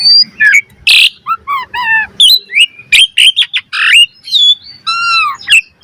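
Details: Asian pied starling song for training cage birds: a harsh burst among varied whistles, stacked buzzy notes, clear slurred whistles and a final harmonic squeal.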